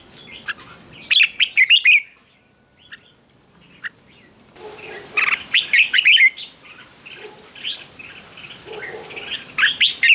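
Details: Red-whiskered bulbul fighting song, the ché style used for training birds. Bursts of loud bright chattering notes alternate with quieter gaps, and a steady hiss of background noise sits under the later phrases.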